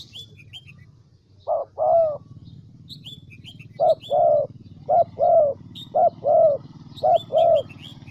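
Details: ["Spotted dove used as a decoy in Vietnam's Central Highlands, cooing five times in mellow short-then-long pairs roughly a second apart, while small birds chirp high and thin throughout."]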